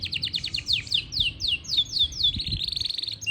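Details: Yorkshire canary song recorded in Parachinar: a series of bright downward-slurred whistles, about a dozen in quick succession, ending in a fast level trill and a single clipped note.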